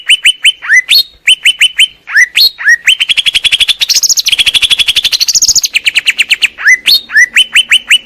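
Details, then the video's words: Greater green leafbird training song: crisp downslurred notes repeated in series, then a rapid rattling trill with rising whistled overtones, then a return to the sharp repeated notes. "Cucak ijo biar ga kondangan mulu master pakai ini bos"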